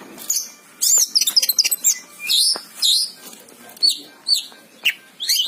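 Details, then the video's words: Energetic Oriental magpie-robin song: bursts of high, sweet whistled notes and scratchy chattering, with clear upslurred and downslurred whistles repeated at uneven intervals of roughly a second. "suara burung kacer gacor"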